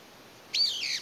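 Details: Single loud squealing call from a brown-eared bulbul that seems to have lost its family, calling to find companions; a harsh high note that starts abruptly, holds, then slurs downward, in a quiet background, May 2021.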